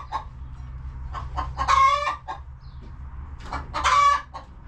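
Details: Chickens resting in their coop on a homestead make soft scattered clucks, then two loud, harsh, stretched squawks roughly two seconds apart, with a faint low hum throughout.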